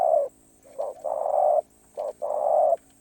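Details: Spotted dove in คารมป่าร้อย song: a loud coo, a short double note, a long steady coo, then another short note and a long final coo.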